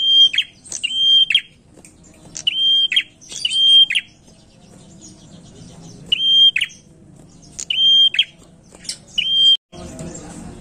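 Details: Prinia lure song: clusters of high, level whistles with chattering tails, repeated in quick runs, then a pause and another run, ending in a burst of broadband noise.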